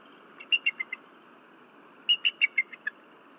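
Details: Night recording from the Berry College bald eagle nest cam, February 15, 2023. The disturbed female gives two descending series of five or six high, piping chirps, with a steady faint background hiss.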